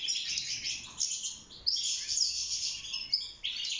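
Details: European goldfinch, a caged wild bird singing for mating and nest building: bursts of rapid high twitters and clear whistled notes separated by short gaps.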